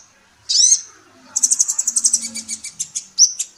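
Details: Female sunbird, called kolibri ninja, in a training recording for songbirds. A single bright chirp is followed by a fast rattling series of high ticking notes, ending in another sharp chirp.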